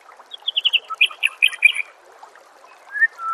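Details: White-rumped shama singing, from a songbird training master recording: a fast series of about a dozen repeated, evenly spaced slurred notes, followed after a pause by two drawn-out, falling whistles, over a steady hiss.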